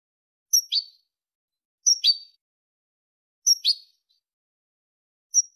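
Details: Malaga-style European goldfinch song, played to teach goldfinch chicks and hybrids: sharp high whistle-and-twitter pairs roughly every one and a half seconds, bright and brief, with silence between them.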